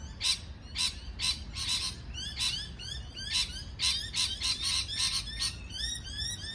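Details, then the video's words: Parrot chirping continuously: loud, grating calls mixed with quicker upward-swept notes, layered and overlapping throughout, above a faint low hum. "美丽的鹦鹉鸣叫beautiful parrot chirping sound call"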